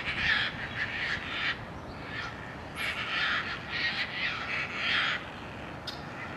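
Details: Harsh, scratchy tern cries from a rooftop colony beside the Cataraqui River, coming in bursts of about a second with short gaps, several birds overlapping; a faint low hum runs underneath.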